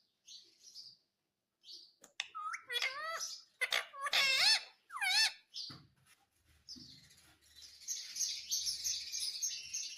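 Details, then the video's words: Indian ringneck parrot talking, a series of loud, wavering, harmonic voice-like phrases in quick bursts in the middle, framed by short high chirps and a hissy, rustling stretch at the end. "Natural Sound of Talking Ringneck Parrot"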